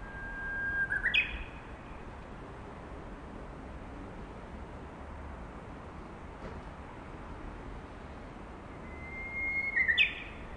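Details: Japanese bush warbler singing from a power line: two songs, each a held low whistle sliding into a quick, bright rising flourish, one at the start and one near the end, with quiet steady background hiss between them.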